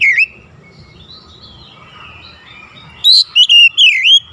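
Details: Oriental magpie-robin in morning sunlight, a short note, a long soft wavering whistle over low rumble, then a loud phrase of looping bright whistles.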